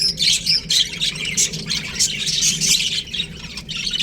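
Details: Baby budgerigars in an aviary, a dense overlapping chorus of high, scratchy chirps and squawks with barely a pause, rising and falling in quick bursts.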